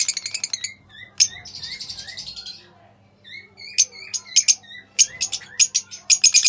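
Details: Pale fallow lovebirds singing and chattering in a high, rapid stream of sharp chirps, buzzy trills and short squeaky notes, with bursts of piercing calls toward the end.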